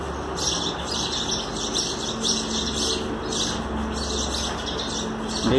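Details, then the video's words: Sparrow mothers feeding chicks in nests on both sides of a box, two or three young per side; rapid clusters of high, thin chirps come in bursts about every half second, over low hum, ending with a louder knock. "Sparrows feeding their babies"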